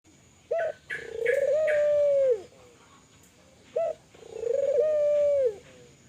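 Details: Vigorously calling Kelantan spotted dove, meant to get other doves calling. Two full phrases about three seconds apart, each a short note then a long purring coo falling at the end; light chirps from another bird overlap the first.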